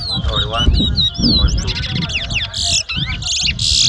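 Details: Chestnut-bellied seed finch, known locally as towa towa, in a 2022 whistling contest at Mahaica, Guyana, delivers sweeping whistled notes that turn into harsh buzzy bursts near the end, with people talking behind.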